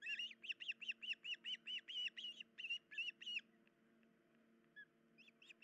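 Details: Nesting osprey, 10 July 2019 before dawn, the female's leg hurt so she cannot feed the young: a rapid run of around fifteen clear whistled chirps, then a pause with a few faint notes returning near the end.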